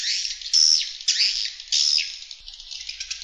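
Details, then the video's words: Swiftlet external attraction sound: dense, high-pitched twittering chatter of buzzy chirps and trills, with louder bursts about every half second and no other sounds. "Swiftlet External Sound"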